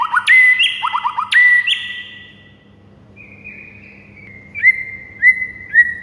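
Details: White-rumped shama singing in the morning, used as a tutor recording for other birds; loud clear whistled phrases with rapid trills, then long level whistles and sharp upward-flicking notes.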